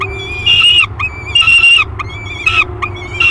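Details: Peregrine falcon nestling, 30 days old, calling in its nest box at Great Spirit Bluff in July 2021: four strong wailing notes about a second apart, each bright and steady with a quick drop at the end.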